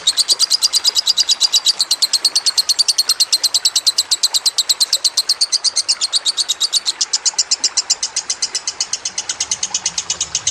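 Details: Lovebird in a master-training recording delivering a long unbroken trill of shrill, rapid chirps, about six per second, steady and loud throughout, with a faint low hum near the close.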